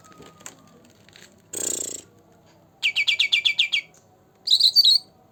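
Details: Green leafbird, two months old, singing in the 'gacor dor dor' style used to prompt birds that rarely sing: a brief rustling flutter, then a rapid series of eight sharp chattering notes and a short warbled phrase.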